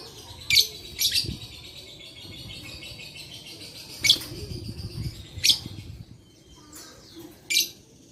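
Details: Lovebird song, recorded 11/4/21 and played to stir lazy lovebirds into singing: sharp, shrill high chirps in short bursts about once or twice a second, with faint high whistles between them over a low background hum.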